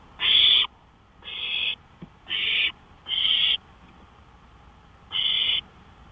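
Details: Night recording from a porch, 1:53 AM on May 5, 2013: an owl utters a run of four quick harsh hissing bursts, then a pause and a fifth, each about half a second.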